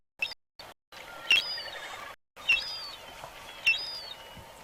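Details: Juvenile glaucous-winged gull near an adult and another juvenile at a Katmai river, 23 September, directional microphone: really high-pitched begging whistles, sharp thin notes sliding downward, repeated about every second, made by juveniles but not adults.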